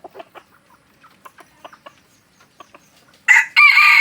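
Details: Red junglefowl from Aceh, original lure recording: soft scattered clicking and pecking, then a sudden loud, raspy crow in two bursts filling the final second.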